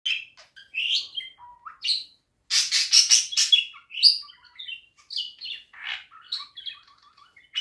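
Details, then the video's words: Budgerigar warble: a fast, rambling stream of chirps, clicks, squeaky notes and harsh scratchy bursts, high-pitched and constantly changing, with no other sounds. "Kuşların tam istediği ötüş."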